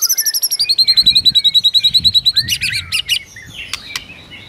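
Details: White-rumped shama morning training song meant to provoke rival birds: a fast run of high repeated chips, about three per second, followed by sharp clicking notes and brief whistles over faint background noise.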